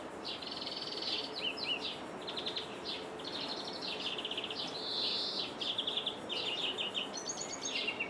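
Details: Greenfinch singing in Jordan, heard through a window: continuous jumble of fast trills, twitters and nasal buzzy wheezes, ending with a falling drawn-out note, over constant soft hiss.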